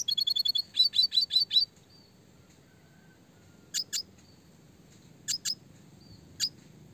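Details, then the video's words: Red siskin in classic clear song for songbird training: an opening fast, even roll of high ticking notes, then a few louder chirps, leaving quiet gaps before paired high calls and a last single note. "red siskin gacor suara jernih roll tembak speed rapat"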